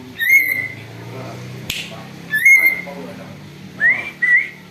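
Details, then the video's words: Chattering greater green leafbird, presented as an eagle imitator for luring: two sustained whistles that rise then flatten, a sharp click between them, then a pair of short upslurred whistles; low humming murmur throughout. "cucak ijo ribut bisa tirukan suara elang"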